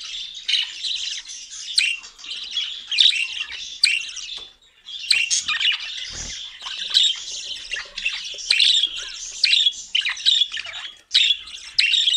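A cockatiel gives harsh, raspy squawks and chirps in bursts, high-pitched and continuous.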